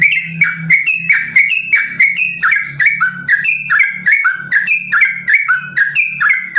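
A sooty-headed bulbul sings loud, bubbly whistled phrases that step up and down, repeated almost without pause, over sharp clicks and a low steady hum.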